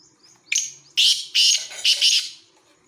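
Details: Black francolin calling: a brief sharp note, then three loud, harsh, grating bursts, the last one doubled, delivered in a quick phrase of about two seconds over a quiet background.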